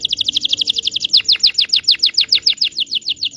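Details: Song of a local Indonesian canary meant to help young canaries learn: a fast even trill of high notes running into a steady series of downslurred whistles, about three per second.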